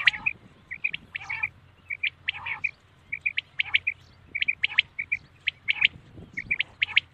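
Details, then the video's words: Common quail calling at night: short, clipped whistled notes at a steady pitch, given in quick groups of two or three and repeated throughout, with a few harsher, broader notes mixed in. "Common quail sound best awaz night"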